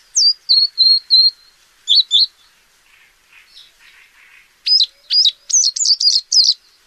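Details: Paddyfield warbler giving a run of clear, slightly descending whistled notes, a short pair of chirps, faint soft notes, then a fast burst of sharp, twisting high phrases.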